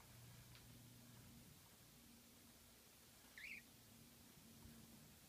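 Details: A budgerigar, which makes this cute sound only when stretching its wings, gives one brief squeaky chirp that bends up then down, set against a low, steady indoor hum.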